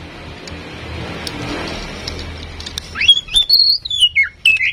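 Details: Tame female oriental magpie-robin used to prompt singing in other birds: a rushing background noise, then a clear sweeping whistled phrase rising and falling, followed by a final short slurred note.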